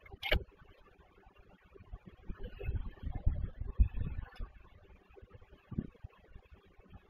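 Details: A sharp click, then quiet low rumbling and a man speaking briefly; no animal call is heard.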